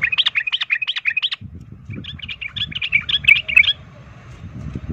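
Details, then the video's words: Fighting song of a sooty-headed bulbul that stirs other birds to fight: a fast phrase of looping chirps, then a softer second run of notes over a rumbling background. "pancingan trucukan ROPEL TARUNG ini bikin trucuk lain seketika ikut EMOSI tarung"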